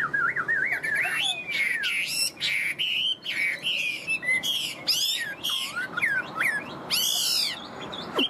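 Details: Tame Chinese hwamei with yellow legs and bill sings loud, varied whistled phrases, wavering and sweeping up and down, broken by sharp buzzy bursts and brief pauses.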